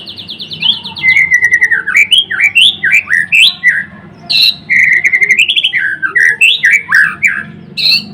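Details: White-rumped shama of the blorok variety singing vigorously: loud, rich, fluid whistled phrases sweeping up and down, with fast rising and falling slurs and sharp high ticks, almost continuous, over a low steady hum.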